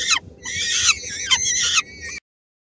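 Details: Peregrine falcons at a nest in Helmond on 13 May 2016: a female brings a small morsel for her three-week-old chicks, and some of them snatch it. Harsh, raspy screeching in a near-continuous burst for about two seconds, then stops abruptly.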